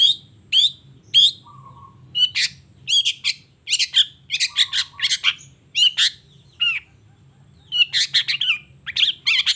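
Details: Long-tailed shrike singing actively in the morning: groups of sharp, high chirps in irregular bursts, with brief low flat whistles between them.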